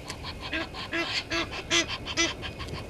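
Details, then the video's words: Egyptian geese in a dispute with intruder geese at Djuma Game Reserve dam, South Africa; about five spaced, hoarse honking notes with a faint nasal tone, each roughly half a second apart. "Egyptian Geese having dispute with intruder Geese"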